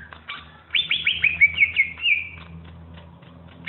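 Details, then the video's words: A greater green leafbird, noted as a champion, gives a quick run of about eight sharp downslurred whistles before trailing into soft chips, over a low steady hum. "masteran cucak ijo super juara"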